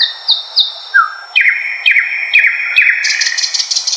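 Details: A Thrush Nightingale sings from dense undergrowth in eastern Poland, where it fills May nights: a few high descending whistles, then quick downslurred notes about twice a second, ending in a dry, buzzy, metallic rattle.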